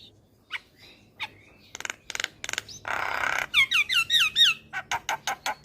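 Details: Black-winged myna lure song for young birds: sparse sharp notes, then a burst of harsh noisy rasp, followed by rapid looping whistled phrases and a series of clipped repeated chips.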